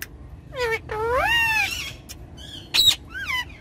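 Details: Ringneck parrots, pets on a car back seat, talking and playing: rising then falling harmonic screeches, one long arched call near the middle, a sharp burst at about three seconds and a short curved squeak at the end.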